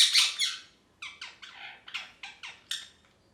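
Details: Pet parrot chirping happily: a loud, rough squawk opens, followed by a string of seven quieter, clipped chirps roughly every quarter second.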